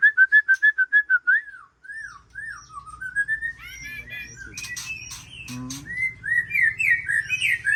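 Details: Loud series of repeated whistled notes from a white-rumped shama, then looping slurred whistles, scratchy rattles, and a closing string of rising phrases over a low rumbling background.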